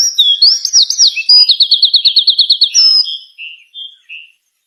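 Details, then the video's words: A songbird in energetic song: high whistled swoops, then a rapid series of about ten clipped repeated notes, followed by a few softer fading whistles. "suara burung gacor"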